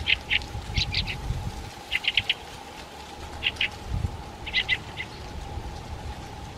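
Brambling giving short, nasal, clipped calls in quick bursts of two to four notes at irregular intervals, over a steady low hum and faint rumble.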